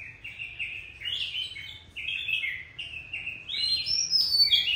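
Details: Oriental magpie-robin, described as a fierce adult taken from the wild, giving a continuous chain of sweet whistled notes. The notes step up and down in short linked phrases, rising to higher, squeakier notes at the end.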